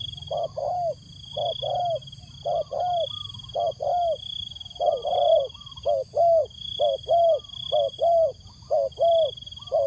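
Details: Decoy spotted dove calling wild doves in with a long run of soft, hollow coos, short notes alternating with slightly longer ones at an even pace of about one per second, against a steady high electronic-like whine.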